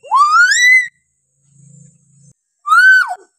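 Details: Hill myna giving loud whistled calls for training other mynas: a long rising whistle with bright overtones, a pause with a low hum, then a shorter arched whistle that falls at the end.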